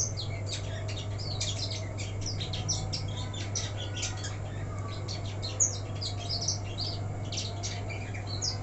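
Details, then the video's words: Caged black-throated canary, still untrained and left without its cover, in full lively song: dense, fast high-pitched twittering and trilled phrases pouring out nonstop, with a steady low hum underneath. "Lupa ga di krodong blackthroat bahan jadi begini"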